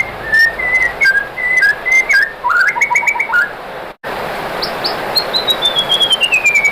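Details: White-rumped shama song used to provoke other shamas: soft whistled phrases and short trills, a brief break, then a long thin high whistle sliding downward.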